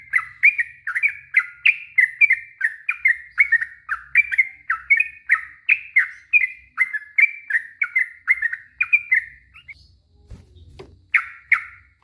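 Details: Yellow-vented bulbul singing an extended long ropel song to coax other bulbuls to reply: a long, rapid chain of bubbling warbled phrases for nearly ten seconds, a brief thud, then two more notes.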